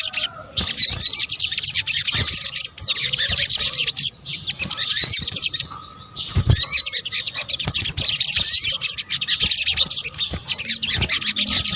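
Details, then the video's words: Sunbird (sogok ontong) calls mixed into a lure recording for drawing in birds: continuous high, sibilant twittering with clear upslurred squeaky notes, broken by brief gaps around the two-, four- and six-second marks. "PANCINGAN SOGON BUNYI AMPUH | kombinasi suara sogok ontong"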